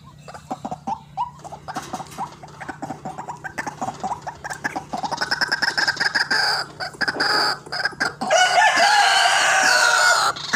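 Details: White-breasted waterhen calling, used as a lure for trapping birds: rapid, sharp repeated notes that quicken and thicken into a loud, harsh, raucous chorus of overlapping croaking calls in the last seconds.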